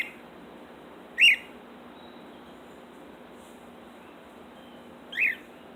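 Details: A female cockatiel left alone in her cage outside gives two loud, shrill chirps a few seconds apart; the owner suspects she is alarmed by a falcon overhead.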